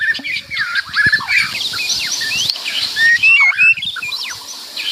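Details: Loud white-rumped shama song packed with varied phrases: quick twittering chirps, clear rising whistles and scratchy notes mixed in a lively, continuous stream.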